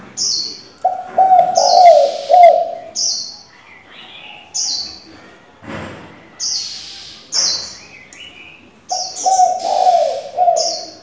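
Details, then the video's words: Spotted dove with many call variations, used as a decoy for training young doves. Two bursts of deep, bubbling coos at the start and end, separated by steady high-pitched chirps roughly once per second. "Cu gáy đảo giọng liên tục, kích bổi hay, luyện CU non chuẩn!"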